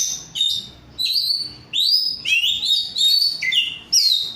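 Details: Owned oriental magpie-robin, an untrained 'rudal korea' bird, singing clear separate phrases: long upward-sweeping whistles, slurred descending notes and bright high trills, each burst separated by short silences.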